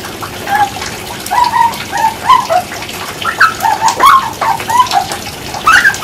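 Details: Grey butcherbird song: a rollicking run of mellow, fluting whistles. Short notes slur up and down, roughly two or three each second, ending on a higher rising phrase. Soft crackling and ticking noises sit in the background.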